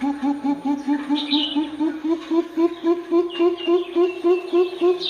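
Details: Greater coucal calling in a long unbroken series of low, resonant hoots, evenly spaced and delivered rapidly, some faint higher chirping in the background.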